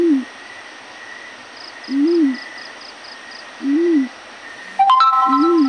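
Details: Yellow-breasted fruit dove morning call: low arched hoots about every one and three quarter seconds, four notes in all, with insect chirps behind and a sudden sharp metallic ding ringing out near the end.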